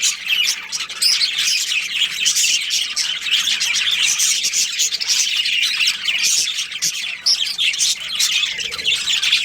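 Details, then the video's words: Chirping budgerigars, a breeding pair in a colony, keeping up a constant overlapping twitter of warbles, clicks and squawks from many birds. "Cute Budgies Chirping Sounds"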